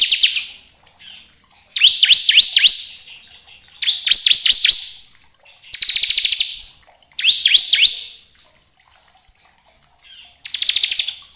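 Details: Bar-winged prinia (ciblek kristal) song meant to lure and stimulate other birds: repeated phrases of fast swooping whistled notes and dense buzzy rattling trills, separated by short pauses.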